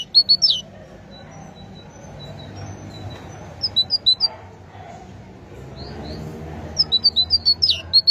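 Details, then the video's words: Great tit song in short bursts: a few quick high paired notes at the start, scattered thin notes, then a faster run of repeated sharp two-note phrases near the end over a low rumbling background. "أجمل وأعذب تغريد لطائر الحداد (القرقف الكبير )chant messange charbonnier"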